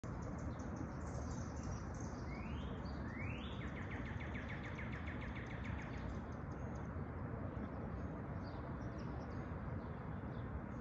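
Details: Unidentified bird calling: two sharply upslurred whistles, then a fast run of short repeated notes lasting about two seconds, heard over a loud, steady low rumble of background noise.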